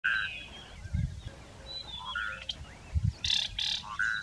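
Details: Red-naped bushshrike, a scrub specialist, singing: short, clear whistled notes mixed with a pair of harsh, rasping bursts, with a few low thuds in the background.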